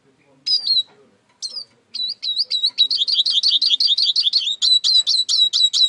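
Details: Eurasian siskin song: a few descending whistled notes, then a fast run of high twittering, wheezy trills repeating about four times a second, bright and continuous to the end.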